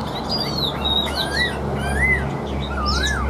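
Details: Caged Chinese hwamei with a strong, even voice and fig-leaf tail; sparse, pure whistled notes sweeping up and down, one long arched slur near the middle, against a noticeable low electrical hum.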